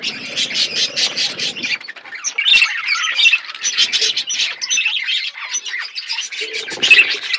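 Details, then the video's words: Budgies in a flock while eating food, chattering in dense overlapping buzzy squawks and warbles, with a low rustling noise at the start and end. "Birds chirping beautiful budgies flocks birds eating food"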